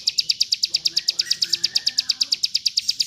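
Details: Mountain white-eye in rapid song used to train other birds: crisp, high chirps repeated evenly at about seven per second, with a faint lower whistle in the background.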